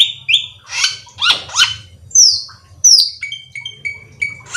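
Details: Black-winged myna singing, a varied run of harsh squawky notes, broad rasping bursts and sharp downslurred whistles, followed by short level whistled notes repeated several times, with a faint low hum behind.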